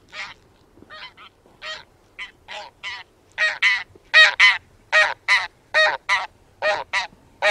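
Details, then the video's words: Taiga bean geese (Anser fabalis) honk in a loose series of nasal, resonant calls, often doubled, growing louder and quickening to about one or two per second. "寒林豆雁/Taiga Bean-Goose"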